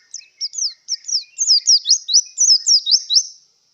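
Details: Unbroken run of high, sweet, slurred whistles from a Javan white-eye in breeding condition, the notes swooping down and up in quick succession for over three seconds.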